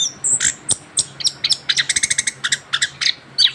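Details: Young orange-headed thrush, a mutation bird just finished moulting, in continuous rolling song: rapid bursts of sharp high chirps and short trills, densely packed with brief pauses, in a small quiet room.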